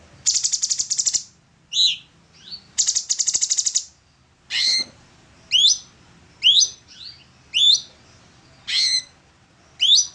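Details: Orange-bellied leafbird, recorded for training other songbirds, opens with two harsh rattling trills, then delivers clear rising whistled notes about once a second.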